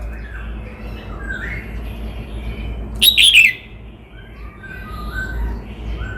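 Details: Red-whiskered bulbul of Cao Bằng stock, Vietnam, gives one quick chirpy warbled phrase midway, while softer distant bird notes and a low background hum continue throughout.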